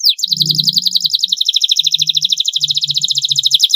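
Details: Canary singing in a long training recording for young birds: a fast, even trill of repeated notes, about two per second in pulses, high and bright throughout, over a low rumbling background noise.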